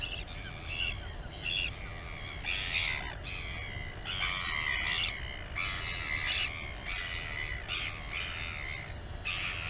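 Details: During a chick feeding at a royal albatross colony, Taiaroa Head near Dunedin, New Zealand, a live camera captures dense bursts of raspy, harmonic squeals in quick succession, louder in places, with steady wind roar underneath.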